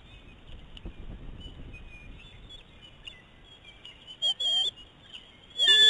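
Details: Eagle pair on the nest in a food fight. The male arrived with prey and refuses to share it with a young female. Faint thin squeals are followed by two short, loud whining bursts near the end.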